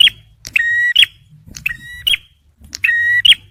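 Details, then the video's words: Male bar-winged prinia, played to lure and prompt stressed birds: loud, clean phrases of a level whistle capped by a quick rising note, three in a row, with a quiet low hum. "TEMBAKAN PRENJAK MERAH JANTAN || CIBLEK SUPER GACOR"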